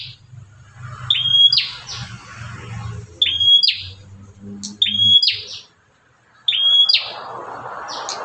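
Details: Bar-winged prinia, free outside a cage, giving its luring call that draws other prinias to sing. Short steady whistles joined to scratchy descending buzzes repeat about every one to two seconds, with low background hum and rustling.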